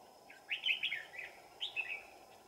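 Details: Red-whiskered bulbul used as a decoy at a trap, deep in the mountains on a cold afternoon, 15 December 2018; two bursts of rich, warbling whistled notes, the second shorter, over a steady background hiss.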